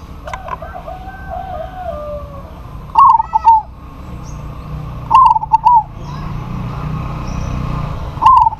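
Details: A local zebra dove calls out a rival that replies. Faint whistles open, then three loud, clipped cooing bursts of quick wavering notes sound at intervals of about two to three seconds.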